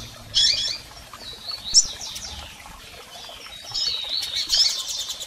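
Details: Double-collared seedeater calls from females and males, used to excite a male: a few sharp high chirps with brief downslurred notes, spaced apart over a faint hiss.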